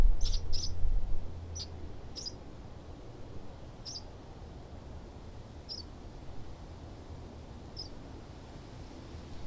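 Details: House sparrow in Southeast Ohio giving short, high chirps, single or in quick pairs, scattered irregularly over several seconds, with a low background hum and a brief louder rumble at the start.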